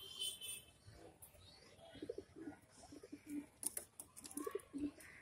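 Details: Brown female fantail pigeon in Mumbai gives soft, low, throaty coos in short pulsing bursts, with faint high chirps and indoor background noise behind it.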